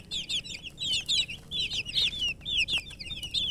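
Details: Domestic chicken chicks (murgi) chirping: continuous high-pitched peeping notes, short downward-sliding cheeps repeated rapidly and overlapping from several chicks, with faint low background hum.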